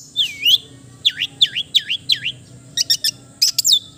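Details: Melodious song of a long-tailed shrike, known locally as cendet: a string of swooping U-shaped whistles, roughly three in two seconds, followed by clusters of very high, rapid ticking notes.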